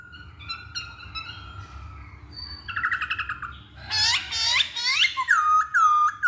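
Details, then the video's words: Masked laughingthrush lure song meant to get other birds singing; starts with thin whistles, then a quick stuttering series, then loud rich whistled phrases, rising then falling, delivered rapidly. "Pancingan Poksay Hongkong"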